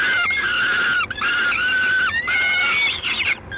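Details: Peregrine falcon in Gdańsk, 3 June 2016, evening: two long, hoarse, level screams about a second each, then a rising whining note and a rough ragged burst before fading, set against background hiss.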